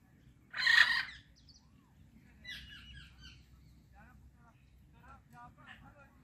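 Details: Pet Indian ringneck parakeet, a friendly talking bird: one loud harsh squawk, then quiet chattering, speech-like phrases and short buzzy notes in an otherwise calm room.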